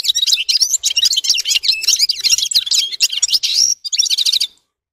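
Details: Red-fronted serin sings a fast, high warbling twitter that ends with a thin whistled note and a short trill, followed by silence.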